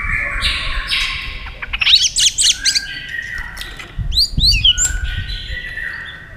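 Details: White-rumped shama in competitive singing with fast tail flicking: long sustained whistles, a burst of sharp down-slurred notes, then ringing high downward whistles, with low background rumble.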